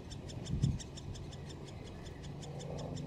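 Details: Nestling great spotted woodpeckers awaiting parents at the nest, Solleveld, late May 2018. A continuous string of sharp high ticks, fading slightly toward the end, with a brief low thump early and background rumble.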